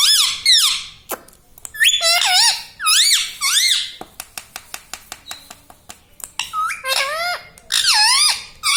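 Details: Indoor pet parrot saying mummy papa in rapid, voice-like bursts of bending, harmonic syllables, interrupted by a run of sharp dry clicks in the middle before more loud talking.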